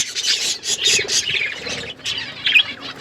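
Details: Budgerigar flock in an outdoor aviary, short harsh squawking chirps in quick succession over steady high chattering, one bright sharp note near the end.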